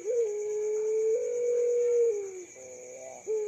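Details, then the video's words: Young puter pelung dove, a bird said to call by day and at night, gives one long drawn-out low coo lasting over two seconds, dipping at the end, then a brief second note; a steady high electronic whine runs throughout. "Puter Pelung | Burung Pemecah Keheningan Malam"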